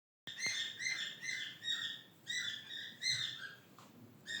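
A cockatiel gives a run of short, bright, harmonic chirps in quick succession.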